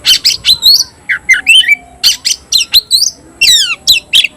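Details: Oriental magpie-robin, tayoraky variety, kept in a cage, delivering quick whistled and chattering notes in rapid succession, some sliding downward, over a faint hum.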